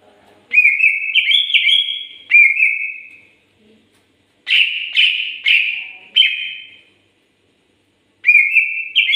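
A greater green leafbird sings loud, clear whistled phrases, slurred and slightly rising, in bursts of one to two seconds separated by short silences.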